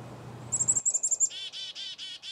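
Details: Black-capped chickadee calling: a rapid run of about eight sharp, very high ticking notes, then four harsh, buzzy 'dee' notes evenly spaced, each slightly rougher than a whistle, with low rumbling noise before the call begins.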